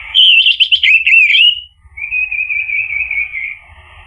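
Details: Orange-headed thrush song used to stimulate a bird to sing: a loud, fast warble of tumbling notes for about a second and a half, followed by a quieter, steady trilling phrase.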